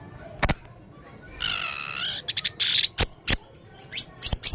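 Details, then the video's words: Male blue-crowned hanging parrot singing with strange sounds: a harsh buzzy rasp in the middle, framed by sharp, piercing high ticks and a few quick shrill chirps. "burung serindit jantan gacor banyak suara aneh"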